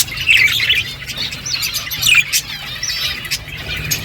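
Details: Eating budgerigars give scratchy, warbled chirps in loose bursts, roughly every second or two, with a few sharper squawky notes.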